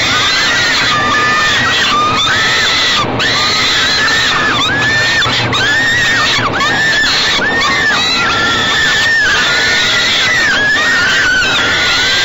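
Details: Young falcons at a nest box during an evening feeding by their mother, 28 May 2013. Loud, harsh screams come in a steady series of arched, downward-bending cries about every second, with occasional clicks and knocks.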